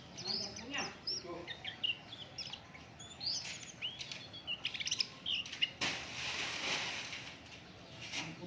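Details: Oriental white-eye song played to stimulate other birds into singing: scattered bright chirps and short whistled notes in quick clusters, interrupted by a loud rushing noise lasting about a second.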